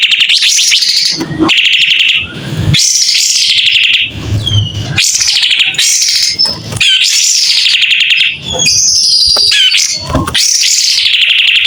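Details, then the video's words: White-rumped shama, kapas tembak type, singing vigorously with an open tail: a string of rich whistled phrases, each rising then falling, some sweeping upward, separated by brief dull low-pitched bursts. "Kapas tembak gacor buka ekor.. SUARA JERNIH"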